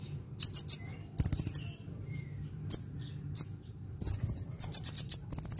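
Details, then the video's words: Sunbird song used to lure birds and coax quiet ones into singing: bursts of three to five sharp high chirps alternating with higher jingling trills, a short quiet gap midway, and low background rumble. "SUARA BURUNG KOLIBRI GACOR"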